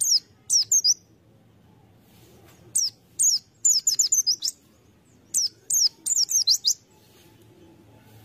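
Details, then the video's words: High sliding chirps from a white-eye, or pleci, used as a lure bird, delivered in clusters of quick twittering notes separated by pauses of a second or more. "Pleci | Burung Kacamata bahan pancingan"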